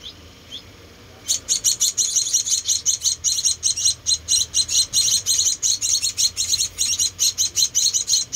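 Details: Four rescued munia nestlings give rapid, high thin chirps in a busy pulsing run, several a second, while being hand-fed, with faint background hum.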